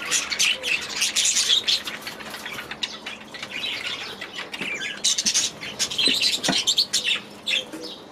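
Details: Budgies housed in an aviary produce a restless mix of scratchy squawks, clicks and twittering warbles. Loud flurries alternate with softer stretches throughout.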